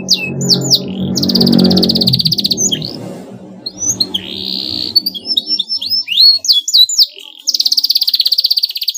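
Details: Canary song used as a lure to provoke a rival canary into answering: rapid buzzy rolled trills and sliding whistled notes, sections repeating quickly, with a low rumble of background noise early on.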